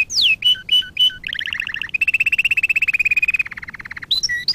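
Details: Canary singing for a training lesson: a falling slur, short two-part whistled notes, a buzzy trill, a long steady rolling trill that slowly drops, ending with clear high whistles.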